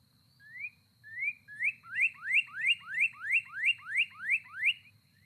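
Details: A Northern Cardinal sings about a dozen clear, rising slurred whistles, speeding up slightly, over a faint low hum; male and female cardinal songs sound alike, so the singer's sex can't be told by ear.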